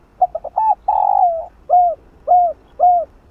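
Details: Decoy spotted dove giving a chiêu 3 hậu cooing phrase to stimulate a newly caught caged dove: a few quick clipped notes, one long drawn purring coo falling at its end, then three evenly spaced downslurred coos.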